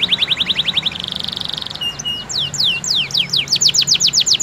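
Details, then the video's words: Domestic canary song played to stir other canaries into song, moving from a fast steady trill into a buzzy roll, then looping whistled sweeps speeding up, all high-pitched and continuous. "PANCINGAN KENARI AMPUH!!"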